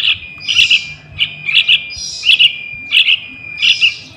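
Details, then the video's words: Call of a young sooty-headed bulbul, used to lure wild birds: clusters of two or three sharp high chirps, each burst about every 0.7 seconds, with a faint constant high whine beneath. "Suara Anak Burung Trucukan"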